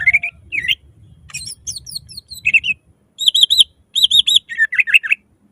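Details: Singing greater green leafbird with loud, rapid 'nembak' delivery, used to get other leafbirds singing: looping warbles, falling thin whistles, then fast trilled series of ringing notes repeated in quick groups.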